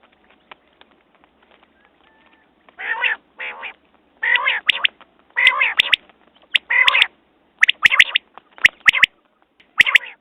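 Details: After a near-quiet start, quail calls build into rasping buzzy bursts interleaved with crisp high double and triple notes, repeated roughly once a second.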